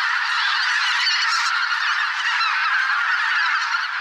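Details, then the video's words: Spring migration gathering of thousands of geese in a swamp, including greater white-fronted, bean, barnacle and pink-footed geese; countless honks blend into a thick, even chorus, with some clearer nasal calls rising above the mass. "Geese - large flock of migrating birds in spring"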